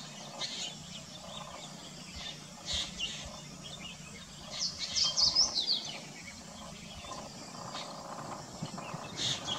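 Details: Black drongo perched along roadside vegetation and open forest in a subtropical area, chattering: scattered short sharp high notes with a louder burst of rapid harsh chatter midway, over a steady background hum.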